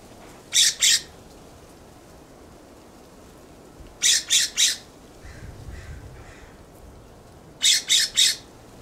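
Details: Harsh scolding of a California scrub jay perched in a backyard plum tree, delivered as three bursts of grating notes, two, then three, then three, separated by several seconds of quiet, with a soft low rumble between them.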